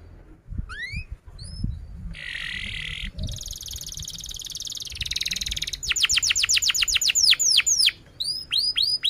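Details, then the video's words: Canary song for training young canaries to learn sounds, in the 'cuit cuit' style: rising whistled sweeps, sustained buzzy trills, then rapid repeated descending chirps, about four per second, loud and clear. "kenari gacor panjang Cuit Cuit EMOSI, Pancingan Kenari Paud Belajar Bunyi"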